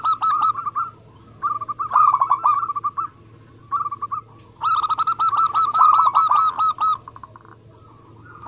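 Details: Zebra dove of a local Indonesian line singing; short clusters of bubbling coos, then a long fast run near the end, softer answering coos between phrases and a steady low hum.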